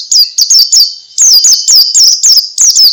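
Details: Ngalas-style white-eye song used to spur other white-eyes into singing: rapid, loud, very high twittering with sharp slurred chirps repeated several times a second, after a short pause near the start.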